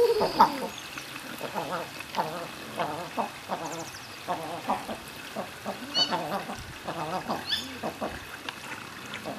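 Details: King eiders in courtship display giving low, dove-like crooning calls, a rolling rise-and-fall repeated every second or so by several birds at once.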